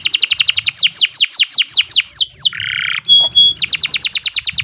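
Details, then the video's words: Canary singing a long continuous song used for training other birds: rapid repeated high whistled notes, then a run of down-slurred sweeps, a brief buzzy trill, short tonal pips, and a fast repeated phrase again. "Kicau Burung Kenari II GACOR PANJANG Cocok untuk Masteran"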